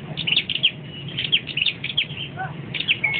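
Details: High, thin, fast chips and twitters from a perched singing flowerpecker, ending in a sustained flat whistle, with a brief lower note midway.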